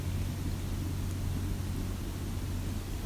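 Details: A constant low engine rumble with a broad hiss over it runs through the recording, with no animal sounds.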